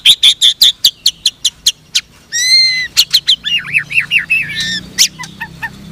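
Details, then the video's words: Pied white-rumped shama in bowing posture, firing sharp shot-like song notes. A fast run of clipped repeated whistles, then a rising buzzy phrase and rippling warbled notes fading into soft ticks. "MURAI BLOROK NEMBAK SUJUD"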